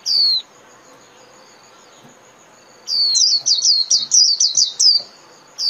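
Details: Japanese white-eye song for daily training of caged birds: one high descending whistle, a long silence, then a burst of quick, bright twittered notes repeated in a tight series.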